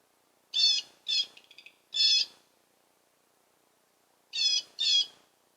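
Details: Male blue jay chuckling and scolding after flying off: harsh, raspy bursts in quick pairs, one followed by a rapid run of soft clicking notes, then a pause before two more grating scolds.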